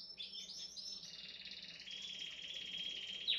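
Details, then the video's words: Canary song, soft and fairly distant: quick high chirping phrases flow into a long, steady rolling trill held at one pitch, ending with a sharp high note, over a faint low hum. "Canary Sing"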